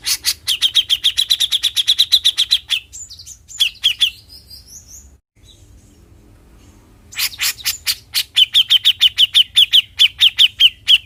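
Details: Bearded bulbul song meant to make other birds sing readily: a long rapid run of bright repeated chirps, a few twisting whistled notes and a quiet gap, then loud harsh chirps leading into another fast even series.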